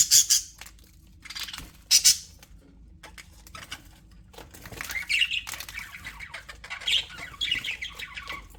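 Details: Happy aviary budgerigars give two sharp, high squawky chirps early on, followed by softer warbling chatter and scattered chirps.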